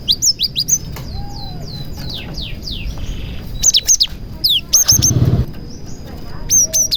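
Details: Cinereous tit singing busily, with prenjak (prinia) imitations in its song, played to prompt other tits to sing. A run of falling slurred whistles is followed by clipped high triple chirps, repeated in groups, over faint low hum.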